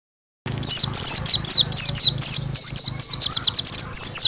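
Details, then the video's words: White-eye singing loudly with open beak in the roll tembak style: a rapid, continuous run of high, sharp chirps and twisting whistled trills, bursts packed several per second, with a low pulsing hum beneath each phrase. "Pleci Roll Tembak Gacor Buka Paruh Suara Keras"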